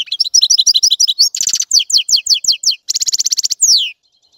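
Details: European goldfinch song: a rapid run of liquid chirps, then a buzzy rattling burst, a string of quick descending notes, another harsh trill and a final drawn-out downslurred whistle before silence.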